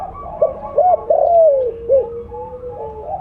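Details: Loud mottled 'blorok' spotted dove calling as a lure: quick arched coos lead into a long downward-sliding coo and a last short note. A low held tone and distant doves cooing sit underneath.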